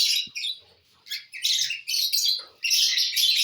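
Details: Lovebirds enjoying corn on the cob make loud, shrill, buzzy chatter in rapid clustered bursts with brief quiet gaps.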